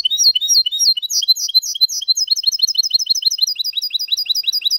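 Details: Goldfinch × canary hybrid male singing strongly in Malaga style, a clean song without errors, used to stimulate males and teach chicks; fast high twittering notes, then a rapid run of repeated rising chirps.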